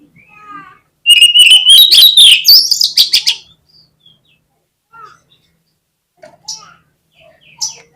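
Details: Oriental magpie-robin (kacer) singing a lure song meant to spark other birds into song: a loud two-second burst of rapid, rich, rising whistled and scratchy notes, then scattered faint soft notes and quiet pauses.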